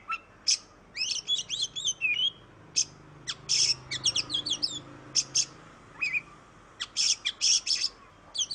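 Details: Oriental magpie-robin song used to stimulate other birds to sing: sharp harsh high bursts interspersed with quick whistled warbling phrases, irregularly spaced.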